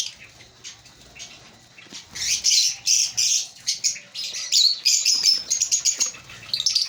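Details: Breeding-colony African lovebirds start softly, then break into loud, rapid shrill chirping with piercing squeaks, continuing in pulsing bursts to the end.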